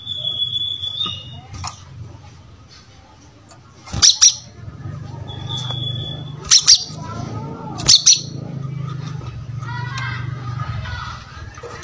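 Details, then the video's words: Brown-throated sunbird used as a song model for other birds: brief clusters of sharp high chirps near four, six and a half and eight seconds, with thin whistled notes and a low hum behind. "Pancingan Suara Kolibri Kelapa Gacor"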